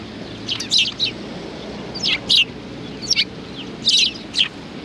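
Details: On a bench at a Tenmangu shrine in Japan, sparrows on 30 January 2020 trade bright, slightly buzzy chirps in small groups of two or three, spaced about a second apart, with faint background rumble.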